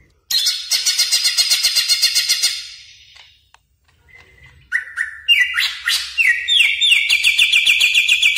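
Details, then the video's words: Greater green leafbird (cucak ijo) song used as a lure and master recording for training caged birds: a fast buzzy trilled burst, a pause, then a run of loud slurred whistles and rapid repeated notes, varied and rich. "Pancingan Dan Masteran Cucak Ijo Gacor Bongkar Isian Mewah Yakin Nyaut | Greater Green Leafbird"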